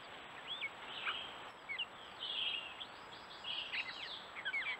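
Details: Gray catbird in New Hampshire woods, trail camera audio: scattered slurred whistles and squeaky phrases in short bursts separated by brief pauses, over a steady background hiss.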